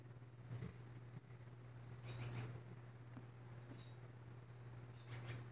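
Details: Male pet Blue-naped mousebird chatting during morning cuddles gives two quick bursts of high, thin whistled notes about three seconds apart, over a steady low indoor hum.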